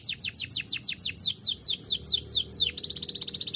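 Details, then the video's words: Canary song: a steady series of high downward-sweeping notes, about six per second, then switching to a very fast buzzy trill at the end. "nyanyian burung canary"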